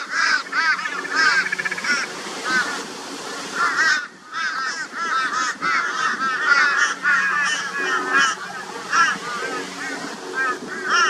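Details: Raucous alarm chorus of a crow flock harassing a barn owl in Brisbane, Australia, 22 February 2022; many harsh, arched caws pile over one another, broken by one brief quiet moment.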